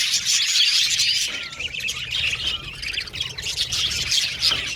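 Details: Budgerigars chirping together in an aviary colony: busy, overlapping high chirps and short warbles, louder at the start, easing slightly midway, then building again toward the end.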